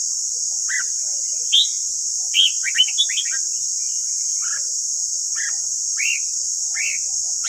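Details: Morning song of a white-cheeked red-whiskered bulbul used for training: lively whistled phrases, a dense cluster of rising and falling notes around the middle, then evenly spaced single chirps, constant hiss throughout.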